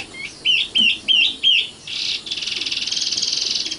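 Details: Common nightingale (sikatan londo) delivering four loud, slurred notes in a row, followed by a short buzzy note and a rapid, rattling trill that runs to the end.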